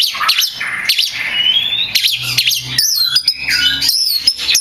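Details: Oriental magpie-robin (kacer), a vocal champion bird whose song is used to train other kacer, delivering a loud, varied run of whistled sweeps, rising and falling notes and harsh squawky phrases, with sharp high ticks near the end.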